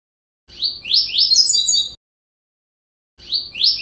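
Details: Double-collared seedeater song used for training another seedeater: a fast, rapid run of high, buzzy, slurred notes lasting about a second and a half, starting again after a short pause.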